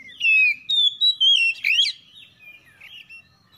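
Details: Oriental magpie-robin in a morning exchange of harsh song, recorded as a lure: loud sliding whistles and a rasping flourish in the first two seconds, followed by softer warbled notes.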